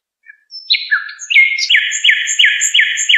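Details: Goldfinch song for teaching young birds: a few scattered chirps and a brief flourish, then a steady series of buzzy down-slurred notes repeated roughly three times per second.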